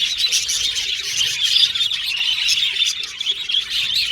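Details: Budgies chirping and singing in a continuous busy chatter of high twittering notes, with faint lower squeaks underneath.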